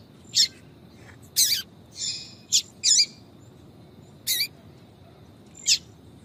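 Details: Yellow-bellied seedeater female calling 'tui tui' to draw males: brief, piercing high chirps and a few slightly longer buzzy notes, uneven in spacing, with low background hiss.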